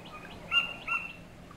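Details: A Torresian Kingfisher, a mangrove specialist, on King Island off Wellington Point, Queensland, Australia, reached at low tide, gives its bark-like call: two short, harsh notes half a second apart among soft chirps of other birds.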